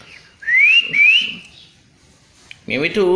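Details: Pet parrot in cat voice: two clean rising whistles in close succession, a pause, then a loud arched, meow-like harmonic call.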